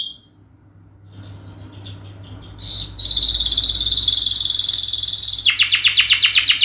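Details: Canary singing as a training lure: after a quiet start, short high notes lead into a sustained dense trill, ending in fast repeated sweeping notes; a low steady hum runs throughout.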